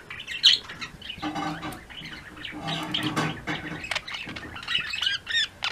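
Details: Budgie flock chattering in the afternoon: harsh squawky calls and scratchy warbles mixed with higher chirps, busy and continuous, growing more varied toward the end.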